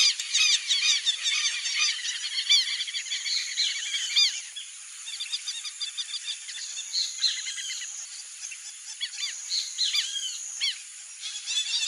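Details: A wild flock of Brazilian teal gives dense, overlapping thin chirps and short rising whistles, rapid and irregular, over a steady high hiss of insects.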